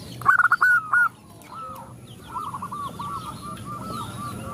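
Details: Zebra dove chorus sparked by a female calling males; one loud staccato coo phrase opens, followed by fainter, distant rolling coos from other doves and light high-pitched chirping.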